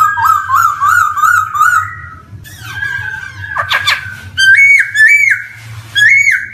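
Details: Black-throated laughingthrush lure song for young birds just beginning to sing: a run of rolling whistled notes, a harsh scratchy burst, then loud rising whistles that bend and drop back.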